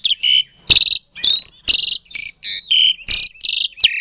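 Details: Asian pied starling bred in captivity in Klaten, Indonesia, used to goad quiet starlings into replying: harsh, rasping buzzy bursts, each about a third of a second long, delivered roughly once per second with short gaps between.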